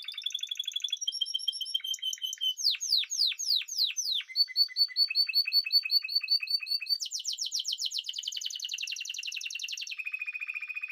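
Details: Varied song from a Spanish timbrado canary, with short trills, a burst of sharply falling sweeps, steady pulsing rolls, a dense high trill and a low, smooth roll to finish.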